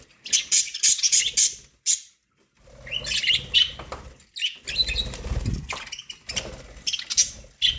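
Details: Pet budgerigars eating corn give quick high chirps in bursts, some sharp and ringing, separated by short pauses, with rustling and feeding noises underneath.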